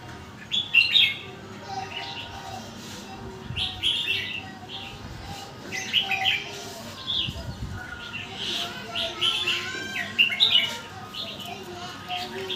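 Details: Red-whiskered bulbul song, its phrases strung together quickly: bursts of clear chirpy whistled notes recurring every second or two, with soft low background noise throughout.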